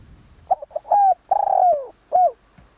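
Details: Decoy spotted dove giving one full cooing phrase: three quick soft coos, a level hooted note, a long purring coo that falls away, and a short closing coo.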